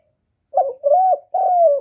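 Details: Spotted dove cooing to draw wild birds to a trapping spot: three low, hollow coos, a short broken note followed by two longer, smooth, slightly falling ones.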